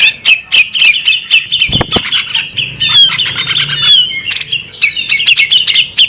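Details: Female bearded magpie robin: dense series of sharp high chirps and trilled, sliding twitters, repeated quickly, with a couple of soft low thumps in the background.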